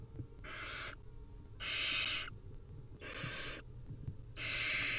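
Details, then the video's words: At feeding time, hungry wild barn owl chicks give four harsh, hissing begging screeches, evenly spaced roughly every one and a quarter seconds, with light thuds beneath. "Hungry Little Owls: Barn Owl Nestlings' Feeding Time"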